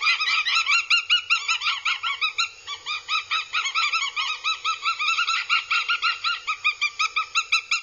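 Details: Aggressive Northern goshawk nestlings at a Scottish nest in Abernethy, recorded by a live camera in July 2022, give a long insistent series of shrill, harsh repeated squeals, overlapping at first, then evenly spaced pulses near three per second.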